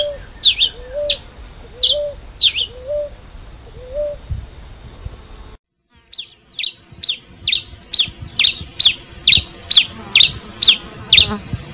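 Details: Pileated finch song: sharp, high downslurred chips repeated about twice a second, at first over a low, steady, repeated hooting from another bird, then coming faster and louder after a short break.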